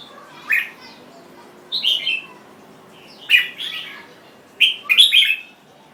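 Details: Jambul bird, the red-whiskered bulbul, delivering short bright whistled phrases, each a rapid cluster of warbling notes, repeated roughly every one to one and a half seconds with quiet pauses between.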